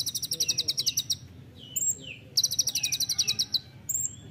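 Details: Master recording of the olive-backed sunbird singing 'nembak rapat', close-packed rapid song: two fast, high, stuttering trills separated by thin down-slurred whistles.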